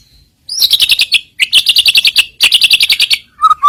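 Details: White-rumped shama filler song used as a lure to make rival birds sing: three fast high-pitched rattling trills in a row, each about a second long, ending with two lower whistled notes.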